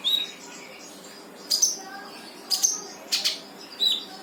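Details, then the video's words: Brown-throated sunbird singing in 'gacor full tembakan' style, meant to coax a silent bird into song: sharp, high, piercing chirps and brief whistled notes in separate bursts about a second apart, with quiet gaps between. "KONIN GACOR FULL TEMBAKAN"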